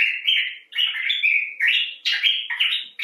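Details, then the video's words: Common bulbul, Pycnonotus barbatus, talking expressively: rich, slurred warbling notes in quick phrases, each about half a second long and sliding between lower and higher pitches, with brief pauses between. "Bulbul Talk: The Common Bulbul (Pycnonotus barbatus)"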